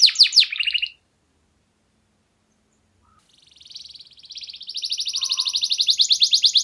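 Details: Canary in song meant to prompt silent canaries to sing: a brief burst of descending notes, two seconds of silence, then a soft trill building into a loud, rapid high roll.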